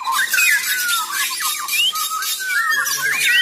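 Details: Straw-headed bulbul (cucak rowo), an adult bird, giving rich, liquid whistles that slide up and down in quick bubbling phrases, over background hiss with a faint low hum near the end; song.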